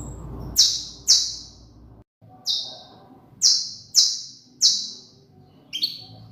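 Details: Saffron finch delivering clear, high, falling chips, a quick pair, one alone, then three close together and a lower final note; a low hum is heard at the start.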